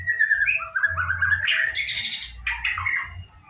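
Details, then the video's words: Juvenile white-rumped shama still in spotted plumage, recorded in Kota Agung, Medan, delivering a varied warbling song of slurred whistles that rise in pitch, broken by harsh, buzzy, chattering notes midway and toward the end. "Burung murai batu pas trotol"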